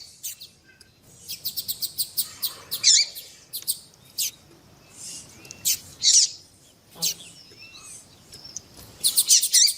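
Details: Double-collared seedeater pair for warming up captive birds, the female calling to stimulate the male: repeated bursts of high sharp chirps and buzzy trills in short groups, broken by pauses, with faint background hiss.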